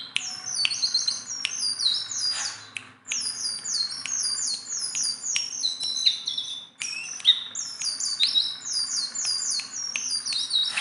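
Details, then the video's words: Persistent singing from a tame Sunda bulbul that can be handled by hand: long rapid series of high, sharply falling chirps repeated in quick succession, broken by two short gaps, with faint clicks. "BURUNG JONGKANGAN GACOR TELER JINAK PETETAN"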